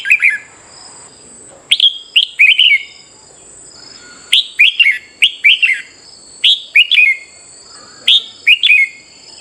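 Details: Morning competitive-singing training of a red-whiskered bulbul: loud phrases of three or four bright, slurred whistles, each dropping in pitch, delivered in groups with brief pauses, accompanied by a constant high-pitched background tone.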